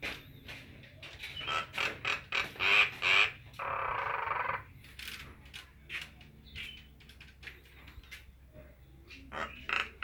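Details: Nias hill myna giving a loud, varied run of harsh rasping bursts and clipped whistles in rapid irregular sequence, with one longer grating note midway and quieter scattered calls toward the end.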